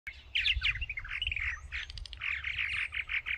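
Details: Purple Martins in 2024 give a steady stream of rich, gurgling chirps and throaty warbles running together without pause, over a low rumble of wind.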